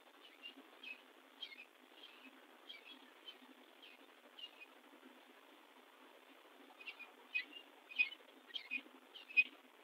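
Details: At a nest in Southern Ontario where a female Northern cardinal is incubating and the male brings her food, a cardinal gives short, high, sharp chip notes at an uneven pace, growing louder and more frequent, over faint hiss.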